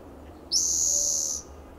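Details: A spotted towhee perched in a coast live oak in Del Monte Forest, California, on a June morning gives a single high, dry, buzzy trill that rises sharply at the start and holds steady for under a second.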